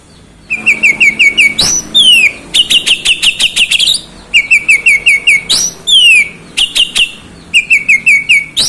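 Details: Oriental magpie-robin singing loud, varied phrases: quick series of clear repeated whistled notes, sharp upward and downward slurred whistles, and rapid buzzy stuttering bursts, repeated in cycles of a few seconds.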